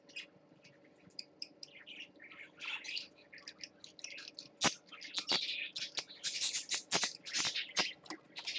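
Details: Parakeet at the swings, recorded 12 20 14: busy warbling chatter growing louder, mixed with sharp clicks and taps, and a faint background hum.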